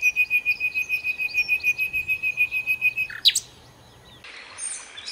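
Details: Nightingale singing a steady run of about fifteen rapid, identical high notes, then a sharp upward sweep and a short faint scratchy phrase.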